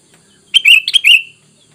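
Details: Sooty-headed bulbul call played to attract wild bulbuls: a single quick phrase of four liquid, bubbly notes, the last one drawn out and slurred downward, over near silence.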